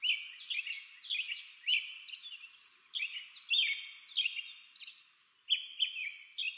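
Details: American robin in 8D sound, delivering rapid, continuous whistled phrases over a faint background hiss, with other thin high notes mixed in.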